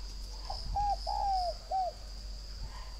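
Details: Spotted dove of the northern Vietnam type, from a dove garden near Ba Vì, Hanoi, known for its fine call. A clear, soft, hollow three-note coo with the middle note long and slowly descending. A thin high buzzing continues throughout.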